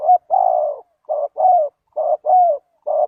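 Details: Spotted dove calling as a lure for wild doves: loud, low, hoarse cooing notes, often a short note followed by a longer drawn-out coo, repeated in groups with brief pauses, against a quiet background.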